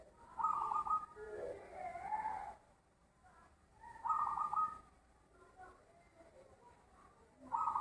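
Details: Zebra dove with a big, loud voice singing: rapid bursts of short, bubbly cooing notes, each phrase about half a second long, repeated three times with quiet pauses between and some softer lower notes after the first phrase.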